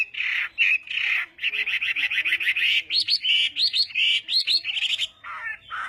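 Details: Chinese hwamei in a singing contest, morning voice training, pouring out fast repeated buzzy notes, then rising whistled upslurs repeated several times a second, closing with lower slurred notes.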